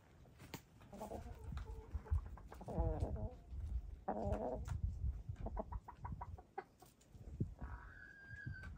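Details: Hens of grey, lavender, blue and black plumage making sweet noises while dust bathing; trilled, warbling purr-like phrases alternate with sharp scratching of dirt, ending in a smooth sustained rising call.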